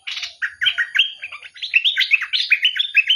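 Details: Bulbul pouring out a continuous chattering warble of clear, slurred whistles, each note dipping and rising in quick succession.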